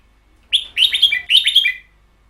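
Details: Red-whiskered bulbul kept as a cage bird, singing a 'double long' (เบิ้ลยาว) style phrase: two quick bursts of bubbly, slurred whistled notes, falling slightly at the end of each, in a quiet setting.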